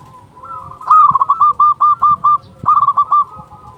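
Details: Local zebra dove with a big voice, sung to lure doves and rouse quiet birds: two bursts of rapid, staccato, hollow cooing notes, about eight then five, over softer continuous cooing from other doves.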